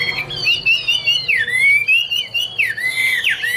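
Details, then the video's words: Loud, rich song of a Chinese hwamei (Garrulax canorus): long sweeping whistles that glide downward and rise again in roughly three slurred phrases, clear against a quiet background. "Birds Garrulax canorus: Singer yellow mouth - wonderful birdsong 2016"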